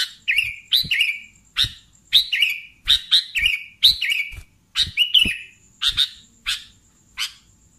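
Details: Busy sooty-headed bulbul song made of quick snapping chirps that bend downward into warbled whistles, coming in rapid clusters, while a thin high steady tone and soft low thumps sound in the background.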